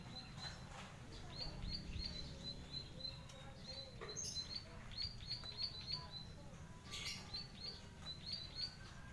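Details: Zitting cisticola, locally called klik klik, prenjak padi, ciblek sawah or eyer eyer, singing in fighting mode as a kept cage bird: faint, sharp high clicks repeated in quick runs over a loud low rumbling background.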